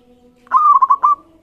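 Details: Local zebra dove singing, used as a master recording to prompt other zebra doves to sing back. A quick rolling burst of about five mellow, bubbling cooing notes, the last one drawn out, over a low steady hum.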